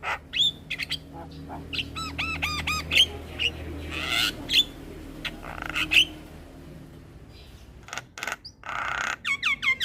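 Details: A Javan myna sings in the morning, a model for young mynas learning to copy: rising whistled loops, sharp squeaks and rasping noisy passages, with a low background hum.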